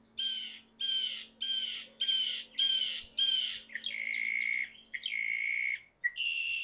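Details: A Northern Mockingbird at Savannah National Wildlife Refuge sings to hold territory and attract mates, repeating a harsh, scratchy phrase six times in quick succession, then switching to new, smoother phrases, over a low steady hum.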